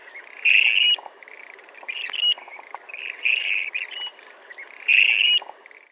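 Clark's Grebe giving loud, single-noted, harsh high 'creek' calls about four seconds apart, with Western Grebes calling more softly in the background.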